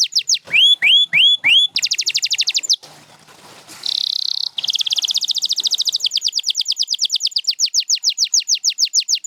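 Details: Champion canary song with rising whistled notes, a fast trill, a soft quiet interlude, a buzzy held tone, then a long rolling trill that gradually loosens.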